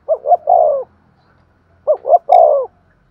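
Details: Spotted dove cooing vigorously: two quick short coos leading into a longer, falling hollow coo, the phrase given twice with a pause between.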